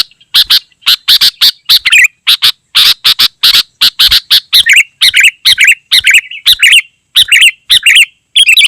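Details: Sooty-headed bulbul in very dense song, meant to call wild birds and tutor caged bulbuls: starts with fast rasping notes, then shifts to bright, bubbly chattering phrases repeated rapidly.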